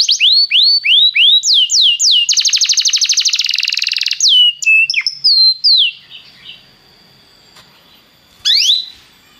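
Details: Belgian canary in song to warm up other canaries: rising and falling whistled phrases lead into a rapid buzzing trill, a few sliding notes, then quiet until one sharp upslurred note near the end.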